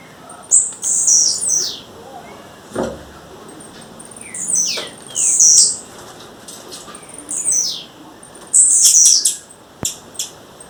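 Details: Wild female blue-black grassquit calling: a run of high, rasping, descending buzzes every couple of seconds, with scattered sharp ticks and a faint low thump.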